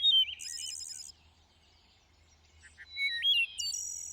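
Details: Thrush song phrases from lush greenery: a brief low whistle, then a high buzzy burst, a quiet pause, then stepped whistled notes and a final sustained high tone.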